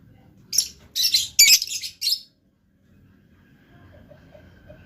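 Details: Blue lovebird lets out a brief run of shrill, rapid high chirps lasting about one and a half seconds, then falls quiet while a soft background hum remains.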